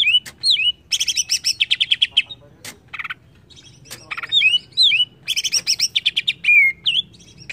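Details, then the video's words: Greater green leafbird, agitated by a lure, sings loud bursts of fast buzzy trills mixed with sharp rising and falling whistled notes, delivered in quick rattling phrases with brief pauses between them. "AMPUH PANCING CUCAK IJO JADI EMOSI"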